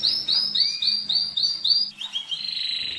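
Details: Singing canary used to stimulate breeding and teach young birds: clear downslurred whistled notes repeated about three to four times a second, followed by a smooth fast rolling trill.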